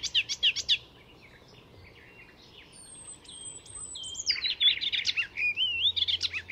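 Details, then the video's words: Mimicking Icterine warbler in full song at a reserve north of Stockholm, Sweden: quick high stuttered notes, a pause, then long thin whistled slides and a tumbling warbled sequence of varied notes. "Icterine Warbler in full song; A master of mimicry…"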